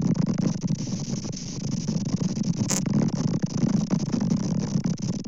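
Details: A rumbling, rattling engine drones continuously, broken by one sharp click near the middle, and no animal voice is heard.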